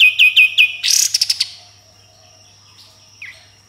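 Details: Sooty-headed bulbul singing in the 'tembakan' and harsh 'besetan' style. Three loud descending whistled chips are followed by a short buzzy rasp and stuttering pulses, then near silence with one faint later note.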